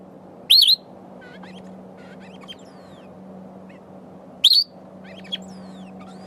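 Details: A sombre greenbul foraging for berries while singing to itself gives two brief, high, wavering wheezy calls about four seconds apart, over faint chirps from other birds and a steady low hum.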